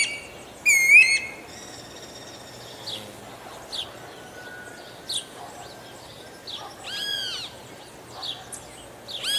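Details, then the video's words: Guira cuckoo with one loud ringing note that curves upward early on, followed by fainter scattered whistled notes and chirps against a steady background hiss. "Canto do ANU-BRANCO"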